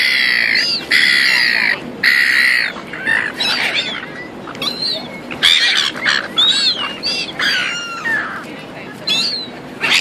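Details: Seagulls calling at Auckland, New Zealand, not fishing: harsh squawks and rising, wavering cries from several birds overlapping, with bursts of broadband noise between calls.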